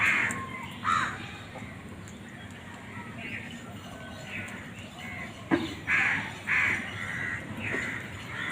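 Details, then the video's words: Crows fighting for food: irregular raspy caws, several in quick succession near the end, over a steady background hiss. "Crow bird crowing sound"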